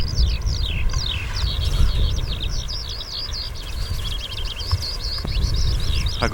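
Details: A parent Eurasian skylark at Cheonsu Bay, Korea, in summer pours out quick, high chirps and trills as an alarm call to its chick when a rat snake appears; the chick then plays dead. Steady low wind rumble.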